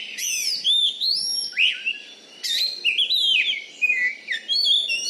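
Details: Kacer (Oriental magpie-robin), a caged competition bird in Bengkulu, Indonesia, prized for its volume and fighting style, pours out dense, varied whistled phrases, high squeaky notes and swooping slurs with hardly a pause.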